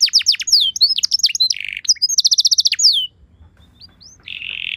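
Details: Canary lure song to get other canaries answering: rapid descending chirps and a brief buzzy rattle, then a fast uniform trill, a near-silent pause, and a closing sustained buzzy rattle.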